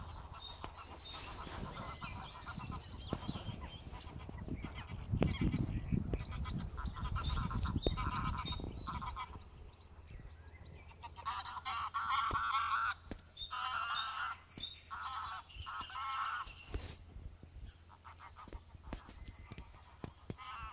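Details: Wild geese, a family with goslings on Ludwik's Pond, Biały Ług, on 1 May 2019, give nasal, harmonic honks in short bursts after an opening stretch of low rumbling.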